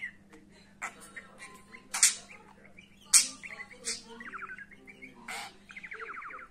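An excited budgerigar chatters in rapid, scratchy bursts and quick warbled trills over a low steady hum.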